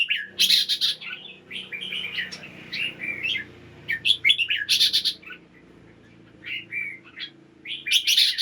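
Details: Morning singing of a caged red-whiskered bulbul meant to make birds lively: repeated bursts of loud sharp chattering phrases and warbles, separated by quieter spells, over a steady low background hum.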